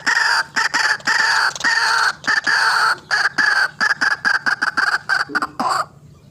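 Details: White-breasted waterhen calling, a recording used as a lure for trapping birds: loud, harsh, croaking notes in rapid, irregular bursts of several per second, each rich and nasal. The calling stops abruptly near the end, leaving quiet.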